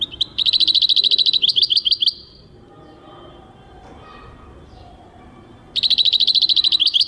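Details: European goldfinch singing, recorded in 2023: two bursts of rapid, high, tinkling twitters, the first about two seconds long, then a quiet pause with faint background hum before the twittering resumes.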